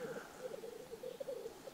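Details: Black grouse lek song heard while listening in the early morning in spring in Karelia, on a frosty morning: a soft, continuous bubbling and cooing that rolls on without pause.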